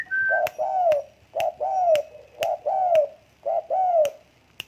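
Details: Tame spotted dove repeating its soft two-part coo four times in steady rhythm, each a short note then a drawn-out falling coo, with sharp clicks between phrases.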